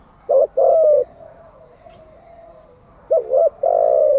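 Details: Spotted dove cooing, a recording for daily training of decoy and wild-caught doves: a short doubled coo and a longer steady coo, a soft quieter stretch, then the same two-part phrase repeated.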